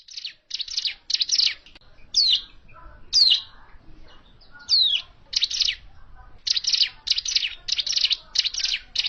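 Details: A hill prinia's call used for trapping birds: bursts of rasping high notes mixed with clear descending whistled slurs, steady and repetitive.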